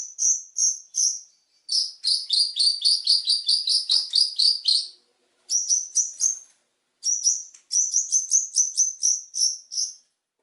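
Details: Long-tailed shrike song used as training material for other birds, with full, rich phrases: high chip notes, a long rapid rattle of strong doubled chirps, then quick whistled trills broken by short pauses, with a clean, quiet background.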